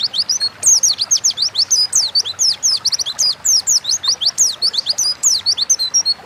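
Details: Oriental white-eye (pleci) in continuous wild-style 'gacor ngalas' singing, played to tutor and provoke pet songbirds; unbroken flow of high-pitched, rapid, slurred chirps and twitters for several seconds.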